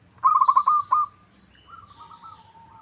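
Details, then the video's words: A zebra dove lure song for getting other doves to respond: a rapid string of six mellow coo pulses closes on a held note, then a softer, lower, wavering coo follows while distant high chirps are heard. "Pancingan PERKUTUT LOKAL Agar Bunyi"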